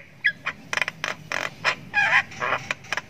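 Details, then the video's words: Jalak kebo sultan nestling, a Javan myna, chirping ngriwik as it learns sounds; grating, hoarse bursts repeat with short breaks, one a little longer and strained. "ANAKAN JALAK KEBO SULTAN NGRIWIK PANJANG"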